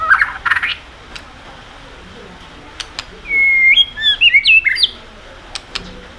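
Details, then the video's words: White-rumped shama singing to stir other birds into song: sharp clicks at the start, then a quick run of high, sliding whistled notes midway, followed by scattered isolated clicks against a quiet background. "kích chòe lửa hót cực sung.chòe lửa hót tạch liên tục kích thích chim ức chế"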